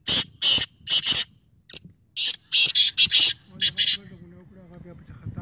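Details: Kala teetar, the black francolin, giving rapid rasping buzzy notes in two quick phrases of clustered harsh bursts, followed by a softer stretch with faint low murmuring in the background.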